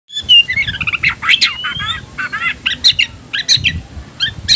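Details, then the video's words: Oriental magpie-robin singing hard while provoked to fight, in the 'ngobra' fighting style: rapid whistled phrases, sweeping slurs and harsh scratchy bursts, dense and nearly continuous, with a faint low rumble underneath. "membakar emosi kacer, kacer gacor tarung ngobra"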